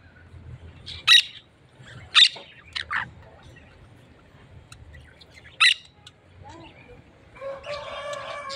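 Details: Parakeets kept together with larger parrots: a few loud, sharp squawks spaced one to three seconds apart, quiet rustling between, ending in a buzzy, grating chatter.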